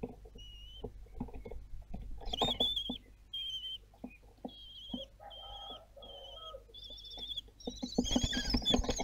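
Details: Common kestrel at Théding, France, filmed on 26 June 2022 around fledging time: thin whistled calls near one pitch, each drawn out and then broken off, repeating with short gaps, over soft clicks and low background rumble.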